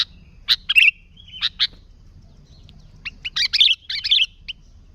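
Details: Sooty-headed bulbul in vigorous song, a pure recording meant to attract bulbuls: scattered sharp chips and a slurred whistle, a quiet second, then a tight cluster of bubbly chattering notes.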